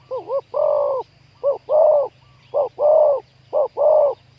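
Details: Spotted dove cooing while wild doves are lured to a trap, bird with a big 'khu-ang' voice: four deep phrases, each a short wavering double note then a longer steady coo, repeated about every second, faint chirps behind.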